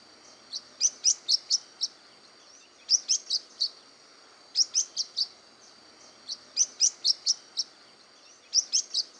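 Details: Blue-winged parrotlet, Brazil: bursts of high, sharp chirps, five or six rapid notes per burst, each burst repeated about every two seconds over a soft steady background hiss.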